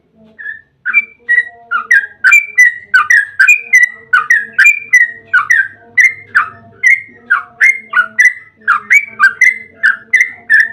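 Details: Yellow-vented bulbul in long continuous song, played as a lure to prompt bulbuls to answer: steady stream of liquid, bubbling whistled notes repeated without pause, with a faint low hum beneath.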